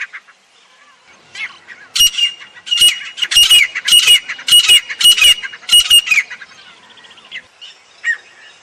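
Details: Grey francolin calling in the jungle: after a quiet start, a run of loud, harsh, ringing notes comes in quick bunches, about two per second for four seconds, then fades to faint scattered notes.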